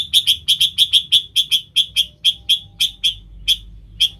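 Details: Sooty-headed bulbul, 'nggaruda' style lure song for wild bulbuls: a quick string of sharp, clear chirps that slows steadily into widely spaced single notes over about four seconds.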